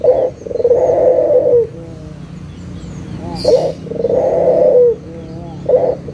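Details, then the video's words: Lure call of a local puter dove to make silent doves sing: two rolling coos, each opened by a short note and ending with a falling slur, plus one brief hiss. "SUARA PIKAT PUTER LOKAL GACOR_SUARA PANCINGAN BURUNG PUTER MALAS BUNYI AGAR BUNYI LAGI"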